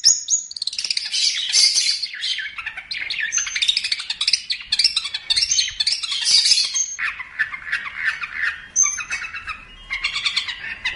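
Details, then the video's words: Long-tailed shrike singing for a bird-training recording: a continuous, dense, chattering medley of harsh, scratchy and squeaky notes, dropping lower and rougher toward the end, with occasional thin high whistles. "Masteran Terbaik Pentet / Cendet"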